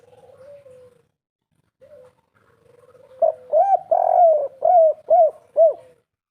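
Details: Spotted dove (derkuku) of the three-note 'kuk 3' cooing type, played as a lure to draw replies from other birds. Opens with soft, low humming coos, then a quick series of about six rounded, arching coo notes, each rising and falling.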